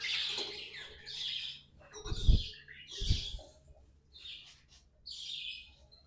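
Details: Pet budgies, tamed, in scratchy song: bursts of high buzzy chatter separated by pauses, with two low thuds from handling noise in the middle.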